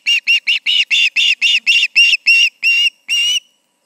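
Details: Ospreys at their nest on an August evening around 7 pm, giving a rapid series of about eleven sharp, high whistled chirps, the notes slowing and lengthening toward the end.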